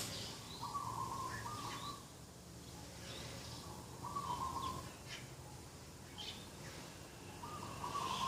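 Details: Morning dove calls at a garden edge, 2 October 2021: three level, gently trilled coos, each about a second long and spaced roughly three seconds apart, over soft chirping from other small birds and a low hum.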